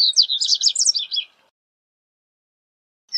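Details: Corbatita (Double-collared Seedeater) in song, recorded for teaching birds: one rapid, high phrase of about a second and a half made of closely packed sharp twittering notes, then silence and a faint new start.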